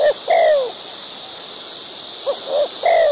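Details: White-breasted waterhen in the wild, feeding its young: a few low, falling croaks, each a single slurred note, separated by a pause of more than a second. A steady high hiss fills the background.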